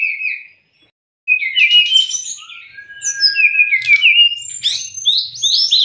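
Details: White-rumped shama tutor song for birds in training or stressed: a short whistle, a second of silence, then a dense rush of sharp chirps, thin held whistles and rising notes.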